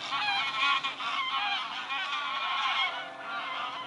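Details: Geese passing overhead in a big gaggle at Eaton Hall, Cheshire, England, late August 2022: many birds honking at once, a steady wall of harsh, layered calls that fades slightly toward the end.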